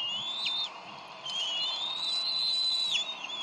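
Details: Wild bald eagles at the Decorah nest on 30 May 2012, where the parents squabble over a fish before feeding their eaglet. A thin, high whistled note is held and wavers slightly, then breaks off and starts again.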